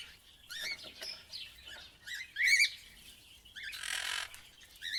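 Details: Parrot calling with softer, rasping squawks and short chattering notes, one loud harsh screech near the end, over a faint low background rumble.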